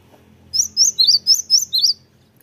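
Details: Lure recording of a cinereous tit to make other birds reply, with a tight series of about seven piercing, high chirps that swing between two pitches, evenly spaced over under two seconds.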